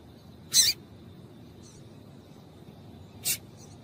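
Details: Female double-collared seedeater gives two short, sharp, high chips about three seconds apart over a faint steady high hiss. The recording is played to stimulate males into singing.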